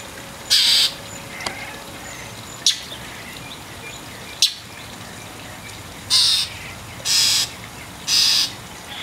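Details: An angry mockingbird harasses a cat that is trying to clean her wet tail. It gives harsh, raspy chack calls: one early, then three about a second apart near the end, over quiet background hiss.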